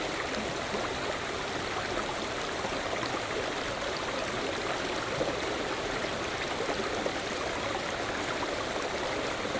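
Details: Steady rushing stream water fills the whole recording with dense, even noise and no animal call.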